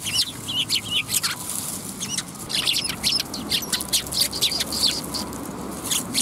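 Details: A group of sparrows at a Tenmangu shrine, afternoon of 10 December 2021. Dense, overlapping sharp chirps and tweets run almost continuously, about two or three per second, uneven in rhythm, with faint low background hum.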